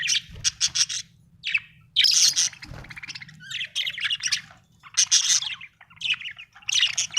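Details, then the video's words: A happy budgerigar sings with scratchy chirps, harsh squawky notes and quick clicking series in irregular bursts, a couple of low thumps and a soft background hum. "Happy budgie chirping sound 🥰 budgie singing sound 😍"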